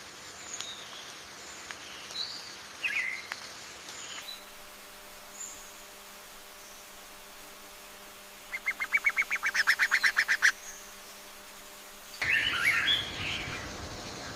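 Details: Yellow-bellied bulbul adults defending chicks from an ant swarm at the nest: scattered short notes, then a rapid, evenly spaced run of harsh chattering pulses lasting about two seconds, ending in a louder burst of mixed calls.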